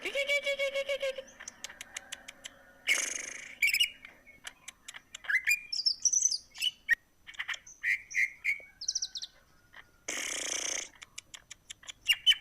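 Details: Varied greater green leafbird song, claimed to put other birds in breeding mood: rattling chatter, harsh rasping bursts, sharp clicks and bright whistled phrases mixed in a long, busy medley.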